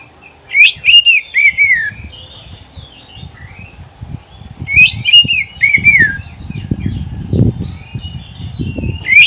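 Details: Oriental magpie-robin singing for pet-bird training: two bursts of sharp, descending whistled phrases about five seconds apart over steady low rumbling noise.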